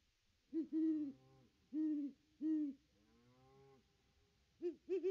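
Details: Great horned owl hooting from the nest tree on Christmas Day 2021, recorded by a nest camera: deep, muffled hoots in a series of four to five, each about half a second long, with a fainter low hum between them.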